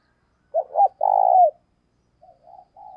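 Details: Decoy spotted dove calling in the morning to lure wild doves: a low, rolling three-part coo, two short notes then a longer vibrating one sliding down, followed by softer, fainter coos.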